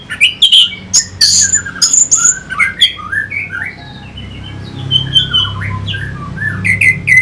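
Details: Orange-headed thrush from North Bali used to get fighting birds going: a lively, jumbled medley of high chips, squeaks and slurred whistles, loud at first and softer and more spaced later.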